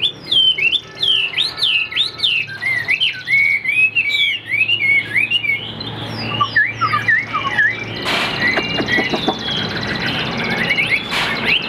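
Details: Chinese Hwamei in a cage delivering a long, lively song of looping whistled slurs and repeated swooping notes, with a burst of broadband noise midway.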